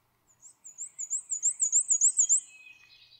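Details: Black-and-white Warbler song: a thin, very high, squeaky, wheezy series of paired notes, about three per second, softly rising and fading out.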